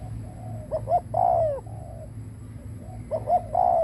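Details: Decoy spotted dove cooing to lure wild doves, giving soft wavering purrs and two louder coo phrases of short notes ending in a long falling coo, with a low hum beneath.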